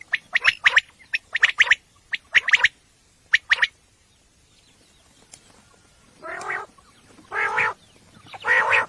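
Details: Common quail at night for hunting: brisk groups of three sharp, clipped notes, a quiet pause, then three harsh buzzy rasps.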